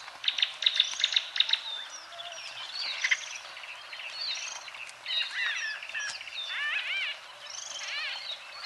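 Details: White-fronted bee-eaters in Kenya: a quick series of sharp clicking ticks opens, then busy overlapping chatter and several louder arched, rolling calls toward the end.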